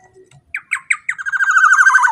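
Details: Black-naped oriole with a powerful song used to stir other orioles: separate sharp notes accelerate into a rapid, rippling trill in a quiet setting.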